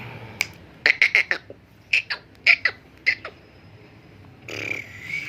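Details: Black francolin known locally as the Sindhi black pheasant, a kept bird offered for sale and said to call all day: a harsh, grating run of short clipped notes in uneven bursts, then a brief rushing noise near the end.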